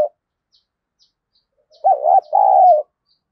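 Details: Spotted dove used as a decoy to provoke fighting gives one loud two-part coo, a short bent note followed by a longer, steadier hooting note, in otherwise quiet surroundings.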